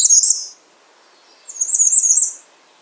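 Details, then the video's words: Bay-breasted warbler calling with two bursts of very high, thin, rapid notes, each lasting under a second and separated by a short pause, in a quiet setting. "Bay breasted warbler Calling"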